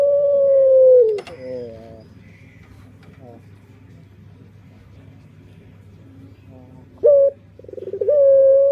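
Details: Puter pelung dove song: a long level coo ending at first, then near silence with faint soft notes, and a new phrase of a sharp note, quick pulses and a rising long coo at the close; low hum throughout.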